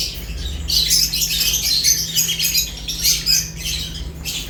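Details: Several lovebirds chirping while eating. Dense, shrill, high chatter comes in overlapping bursts with short pauses, over a steady low hum.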